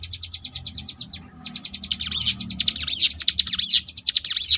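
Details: Sunda bush warbler, locally ciblek gunung, in ngebrem song: quick pulsed high notes pause briefly, then resume and build into intense, looping whistled sweeps over the trill.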